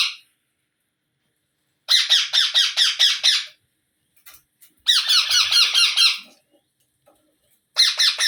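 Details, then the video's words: Indian ringneck parrot chicks being fed by a parent, which eats first and then brings food up from its own stomach for them; bursts of rapid, harsh, buzzy squawks, about ten pulses each, repeated in three runs separated by silence. "Ringnaeck Parrot Natural Sounds | Baby Parrot Sounds"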